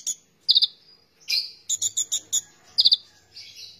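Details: Oriental magpie-robin (konin) in energetic gacor song: high, sharp bursts of rapid clicking notes alternate with short sweeping whistles, separated by brief pauses, over a faint low hum.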